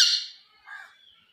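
A common hill myna gives a harsh, raspy squawk, then a lower gurgling syllable and a thin, fading whistle, all within about a second.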